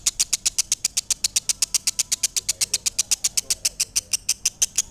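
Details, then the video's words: Lovebird giving a rapid, regular run of high, clipped notes, roughly four each second, held at an even pace with no pauses. "Suara Asli Lovebird"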